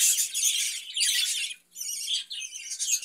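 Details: Short burst of caged budgerigar chatter: loud harsh twittering and scratchy notes, a brief pause, then more squeaky chirping.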